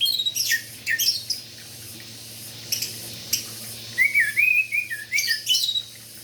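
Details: Orange-headed thrush in lively morning song meant to prompt sluggish thrushes to sing: sharp high notes, silence, then a warbling series of rolling whistles with a few clicks.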